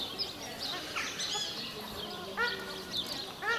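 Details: A pair of paradise shelducks in breeding plumage gives harsh, nasal honks, about three over a few seconds, some sliding in pitch, over a faint murmur. The pair is active and aggressive toward other waterbirds while defending its breeding territory.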